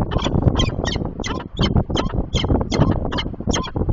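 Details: Female peregrine falcon chasing off an intruding falcon outside the breeding season, 28 September 2024, defending nest box and hunting territory: harsh, rapid cackling notes about three per second over heavy low wind rumble.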